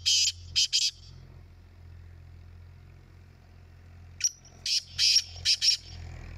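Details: Black francolin in a calling competition, with a short harsh three-note phrase, a pause of about three seconds, then a longer grating phrase of five or six notes, low hum throughout.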